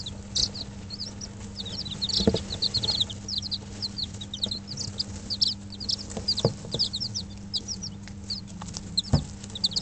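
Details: Brooder of five-day-old Dutch bantam and Barbu d'Anvers chicks with an electric hen heater, 19 April 2012: a dense chorus of high, rapid down-slurred peeps, occasional thumps and knocks, and a constant low hum.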